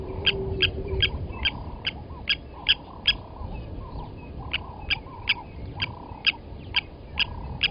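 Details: At a waterhole on Djuma Game Reserve in South Africa's Sabi Sand, on a morning when an adult lapwing seized and killed a chick at the nest: steady metallic tink notes, roughly seventeen, with softer whistles from other birds below.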